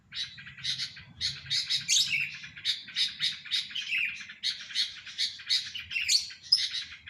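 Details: Sooty-headed bulbul singing in a rapid, continuous stream of bubbly, chirping phrases, bright notes tumbling in quick bursts about every half second, with only a faint low murmur behind.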